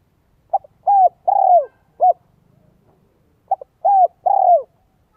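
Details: Spotted dove singing its 'giọng son, 1 cốt lỡ' coo to lure wild doves: a clipped pip, two long falling coos and a separate short note, then the phrase begins again, clean and close.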